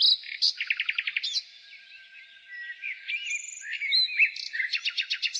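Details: Nightingale singing in spring: rapid series of sharp repeated notes, a pause, then varied whistled phrases and fast rattling trills rising to a bright repeated burst, with faint bird chatter behind.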